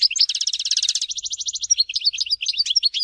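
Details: European goldfinch at Tizi Ouzou in continuous song: a rapid, rattling trill of high notes shifting into a bright, jumbled twittering with quick chips and slurs.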